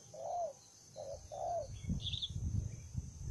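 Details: Aggressive wild spotted dove giving a few low coos, two short notes and a longer slurred one, followed by low rumbling noise and a brief high chirp from another bird.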